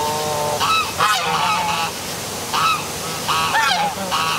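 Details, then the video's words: Geese or ducks calling at night beside a downtown waterfall in Milford, Connecticut; loud harmonic honks repeat in bursts roughly every second, several birds overlapping, over steady rushing water and passing cars. "Dark Night Geese Calling by Waterfall"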